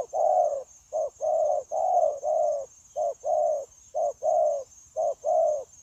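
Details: Continuous cooing from a wild-caught adult spotted dove used in dove trapping, 9/1/2024: brisk pairs of a brief note and a longer mellow coo, roughly one pair per second, steady and unbroken, faint electronic whine in the background.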